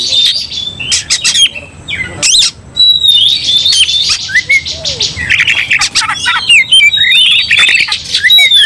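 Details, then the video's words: Provoked Oriental magpie-robins in an aggressive bout: harsh broadband squawks and clicks alternating with bright whistled phrases and warbling runs, with brief quieter gaps. "Kacer langsung TARUNG bongkar emosi bikin kacer lain ikut dongkrak amarah"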